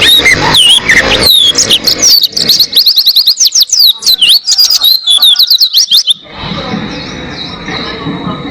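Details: Oriental white-eye in sustained song, used as a master recording to teach caged songbirds; rapid series of thin, high, sliding whistled notes for six seconds, then a steady hiss and faint hum after the song stops.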